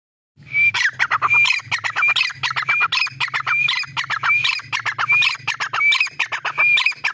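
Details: Grey francolin calling in a fast run of loud, harsh phrases. Each phrase opens with a clear rising whistle and ends in grating notes, about ten phrases in seven seconds, over a faint low hum.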